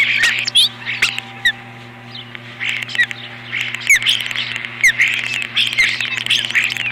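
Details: Osprey at its nest during an intruder alarm, April 2015: quieter, scattered shrill chirps and short downslurred whistles in irregular bursts, with clicking knocks and a continuous low mechanical hum.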